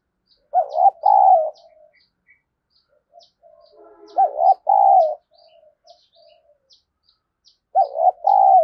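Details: Decoy spotted dove provoking a fight with three loud double coos spaced about three and a half seconds apart, softer murmuring coos and faint chirps in between, light ticking throughout.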